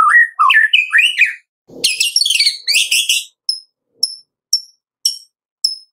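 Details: White-rumped shama lure song to make other shamas sing, morning to afternoon: varied rising whistled phrases and a harsh rattling burst, followed by a series of thin high chips repeated about every half second.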